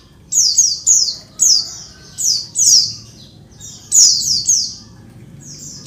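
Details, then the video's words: A female Oriental white-eye (pleci), used to provoke males into calling as in the wild, gives busy bursts of thin, very high, downward-sliding chirps, about one burst each second, against a quiet background. "suara pleci betina ribut bikin jantan langsung ngalas"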